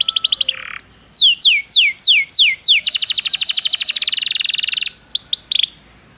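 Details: Belgian canary (Serinus canaria) singing bright, high tours: quick tinkling trills, five sliding downward whistles, a long rapid rolling trill, then a few short upswept notes.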